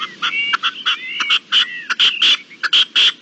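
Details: Red-legged partridge calling, dated 25-04-21: a dense, rhythmic run of hoarse chuck bursts mixed with drawn-out grating notes, loud and steady, roughly three bursts per second.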